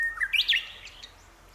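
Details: Japanese bush warbler singing in April 2018 near houses in Minamiboso, Chiba, Japan, likely one bird returning repeatedly to the same branch: a long steady whistle followed by a rising, flourished phrase that fades out.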